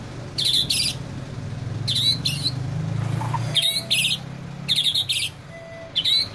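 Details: Male white-rumped shama copying canary song: short, very high buzzy rattling bursts delivered in pairs, each pair about every one and a half seconds, against a low background rumble.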